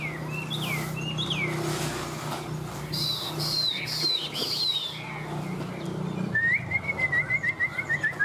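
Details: Caged, tame Chinese hwamei in Vietnam: looping whistled phrases and a scratchy burst, ending in a fast rising trill of rapid repeated notes, over a persistent low hum.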